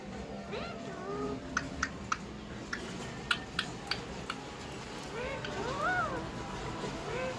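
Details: A mated pair of pet Alexandrine parakeets (Psittacula eupatria) saying "Mithu Mithu" in mimicked speech, with rising and falling voice-like syllables and sharp kissing clicks as they kiss each other, over light background music.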